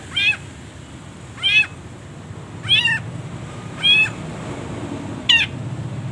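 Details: Caged long-tailed shrike training recording full of pauses: five drawn-out, nasal, harmonic notes with a falling tail, each separated by about a second of quiet, over low background hum.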